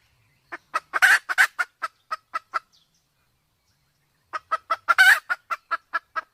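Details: Sumatran junglefowl pair, male and female with the hen in heat. A short series of sharp clucks speeds up around one harsh louder burst, then a pause and a second similar run.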